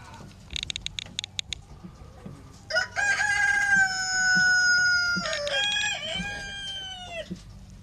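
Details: A Dominique rooster, America's oldest chicken breed, crows: a long, loud, harsh crow that holds level and then falls away in a second drawn-out segment. A low hum and a few scattered knocks sound in the background.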